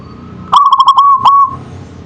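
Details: Local zebra dove (perkutut) in manggung song: one short burst of quick pulsed coos that runs into a smooth trailing coo, clear and mid-pitched over faint background noise.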